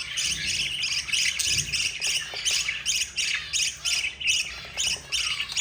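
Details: Begging budgerigar chicks, four siblings fed by their yellow mother, sounding off in fast buzzy pulses about three a second, fairly regular, with a faint thud near one and a half seconds.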